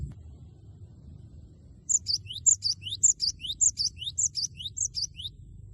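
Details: Cinereous tit in full, loud song meant to provoke a rival into singing, 'wucit wucit' style: high, sharp three-note phrases, a bright whistle then a downward slur and a rising note, repeated about every half second after a quiet start.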